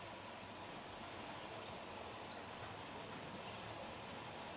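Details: A wintering Daurian redstart gives its ground call: five thin, high, clipped whistles at uneven intervals about a second apart, over a steady soft hiss; the recording presents male and female calls.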